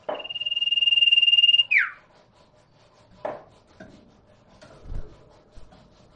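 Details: Common iora (sirtu, cipoh) song used to draw replies from silent birds: a long, steady, high buzzing trill lasting over a second and a half, ending in a steep downward slur, followed by knocks and handling noise.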